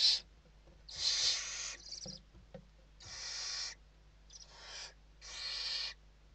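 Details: Western barn owls in their nest in Spain, evening feeding on 29 November 2023; a series of uneven hissing screeches, short and long, with quiet gaps and faint scrapes between.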